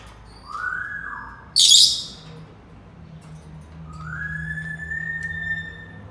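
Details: Senegal parrot producing a soft, low whistled note, then one sharp, piercing high squawk, then a long, steady whistled tone that rises slightly and holds over a faint background hum.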